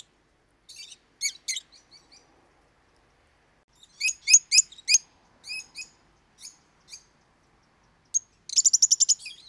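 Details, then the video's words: Lovebird song from pet parrots that call loudly and often: scattered high chips, a quick series of five sharp squeaks, softer notes, then a fast rattling trill of shrill notes at the end. "Как поёт неразлучник"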